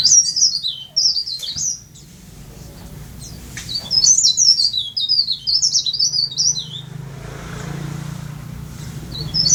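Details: A tame, persistent singer: leaf warbler delivering two bursts of thin, very high zigzagging notes, each sliding down then jumping up again, separated by a pause. A low background hum runs throughout.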